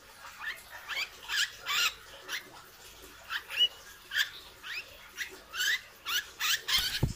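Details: Hair-crested drongo in training, a bird kept for its loud voice and skill at mimicking other birds: a series of harsh, buzzy bursts roughly every half second, some carrying short rising whistled sweeps, ending with a dull thump.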